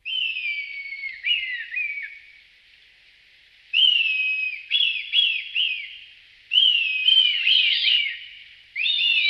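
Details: Red kite (Milvus milvus) in La Moraña and Tierra de Arévalo, Spain, giving high whistled mewing calls: a long drawn falling note, then bursts of quavering, wavering whistles in short phrases.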